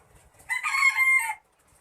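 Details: A chicken calling close to an indoor recording: one short, bright, strained call held level for just under a second, then silence.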